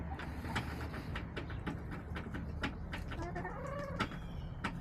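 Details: Backyard chickens, 30 March 2024. A drawn-out, slightly falling, mid-pitched hen call sounds near the middle amid steady tapping and pecking clicks, over a constant low mechanical hum.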